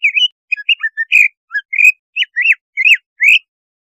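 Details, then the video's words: Cucak ijo song for raising breeding drive and waking the bird: quick chattering whistles and twisted slurs giving way to loud arched up-down notes with high metallic overtones. "Suara pancingan untuk menaikan BIRAHI CUCAK IJO"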